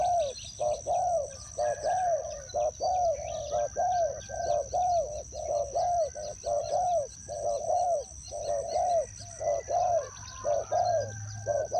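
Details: Spotted dove kept as a decoy bird in a trap, cooing in a long steady series of low arched notes about once per second, alongside a constant high-pitched whine and faint chirps.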